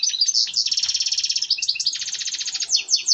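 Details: Goldfinch (European) singing its mating song, meant to stimulate breeding: a continuous, high, buzzy twittering trill of rapidly repeated notes, broken by brief liquid chirps and ending in quick bright phrases.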